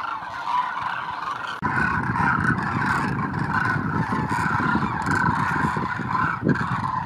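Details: Thousands of Demoiselle cranes making their migratory landing at a water hole in Khichan, Rajasthan, India, in dry sandy terrain; a dense chorus of overlapping honking, trumpeting calls from the flock, with a steady rumble of background noise.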